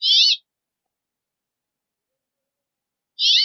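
A Brambling gives two harsh, buzzy, wheezing notes about three seconds apart, each lasting under half a second, with silence between.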